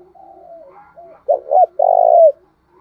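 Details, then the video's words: Decoy spotted dove cooing to draw wild doves to answer: soft low coos, then two short loud notes and a long drawn-out coo that ends with a slight upward inflection. "tieng chim cu mồi thuc boi căng lửa, bổi nghe gáy theo và rất nhanh nổi"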